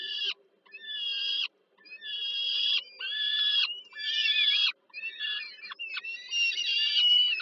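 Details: Peregrine falcon chicks at Termika Żerań, Warsaw, Poland, begging for food from the feeding mother, 15 July 2022; repeated hoarse screeches in about seven bursts, some rising in pitch, with short gaps between.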